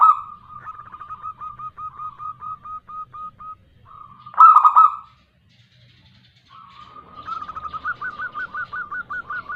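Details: Lure recording of a local female zebra dove calling a male: an evenly spaced series of short curled notes, one loud rasping coo, a pause, then another quick run of rising hooked notes.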